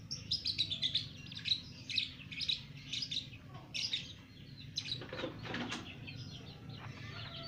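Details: Two-month-old lovebird singing 'ngekek', its long chattering song: quick bursts of short, high, sharp chirps, several per second, with brief pauses, then a rustling flutter near the end over a low background hum.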